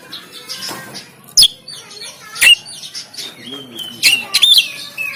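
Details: Caged oriental magpie-robin recorded on an Android phone in Banten, singing a rough, varied 'tembakan' style song meant to rouse lazy birds; sharp whistled notes and harsh bursts with pauses between phrases.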